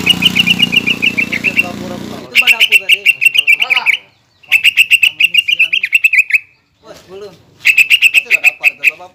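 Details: A greater green leafbird's lure song, built from mimicked songs of other birds, used to make a rival leafbird aggressive. Three bursts of fast ringing chips separated by silent gaps, first overlaid by a droning background noise.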